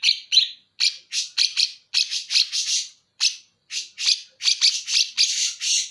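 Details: Greater green leafbird of Banyuwangi delivering bearded bulbul imitation material: harsh buzzy chips and grating bursts in quick uneven series, with brief pauses, bright and scratchy throughout.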